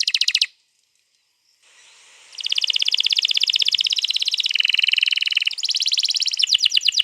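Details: Canary delivering a long rolling 'gacor' song used as a prompt for other canaries, 21 April 2022: a short trill, a brief pause, then a sustained rapid buzzy roll with stepwise pitch changes.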